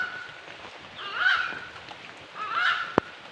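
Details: Bird calling outdoors: two loud honking, nasal notes with rich overtones, about a second apart, over a faint hiss of background noise and a sharp click near the end.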